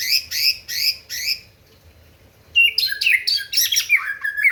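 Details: White-rumped shama song meant to rile rivals: three quick chattering bursts, a pause, then a dense run of varied whistles and harsh notes.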